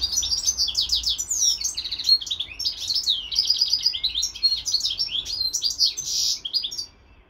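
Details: Caged European goldfinch kept beside a hybrid bird, pouring out a continuous twittering song of quick chirps and trills that ends abruptly.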